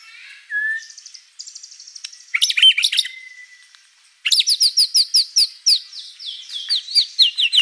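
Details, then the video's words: Singing white-rumped shama, gacor with a rich fill-in repertoire: soft buzzy notes and a thin whistle, then a long series of crisp, high repeated chips at a steady quick pace. "MURAI BATU GACOR ISIAN BANYAK"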